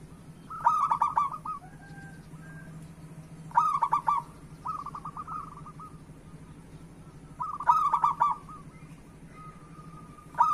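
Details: Local zebra dove singing, used to prompt other doves into song: loud cooing phrases of quick staccato, bubbling notes, repeated about every three to four seconds, with softer answering coos from other doves between them and a steady low hum.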